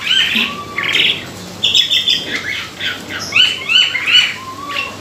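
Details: Song of an Asian pied starling (jalak suren), played as a lure to prompt singing: bursts of squeaky whistles and harsh chatter, a low slurred whistle between phrases.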